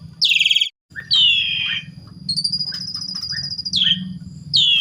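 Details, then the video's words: Asian pied starling song played to trigger singing in other starlings: a pulsed rasp, a descending harsh squeal, a long high buzzy whistle with faint chips, then more squeals, all over a low steady hum. "Jalak Suren Pancingan Jitu!! Jalak Suren Lain Gacor Dan Mompa Dengar Suara Jalak Suren Ini"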